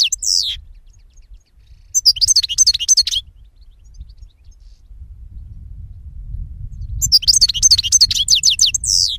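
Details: European goldfinch delivering two separated phrases of fast, bright twittering notes with falling slurs, between quiet gaps filled by low rumbling background noise.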